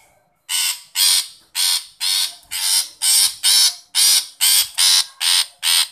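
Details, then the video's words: Long-tailed shrike call aimed at a shy shrike: a steady series of about eleven loud, grating, rasping notes, each falling slightly, delivered about twice per second after a short silence. "Burung pentet memanggil untuk pentet yang malu bunyi"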